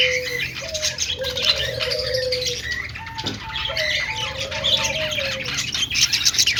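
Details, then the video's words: Several budgerigars, pet Australian parrots described as happy and playing, chatter in a dense high warbling stream over a few drawn-out lower whistled notes. "Budgie chirping sounds ||love birds sound||budgies playing sounds||"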